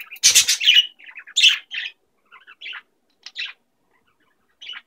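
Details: Two female pet budgerigars playing with a new toy: one chatters in quick, scratchy chirps and warbles, with a brief rustle or flutter near the start.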